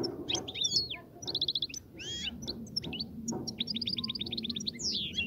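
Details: European goldfinch song aimed at prompting the female to mate and nest: varied twittering with fast rattling trills of repeated short notes, buzzy slurs and a falling sweep near the end.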